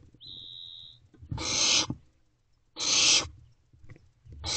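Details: Barn owl owlet inside a nest box, recorded 6/4/23 at 5:11 am while swallowing a rodent; a brief steady whistled tone, then harsh rasping hisses of about half a second, repeated roughly every 1.5 seconds.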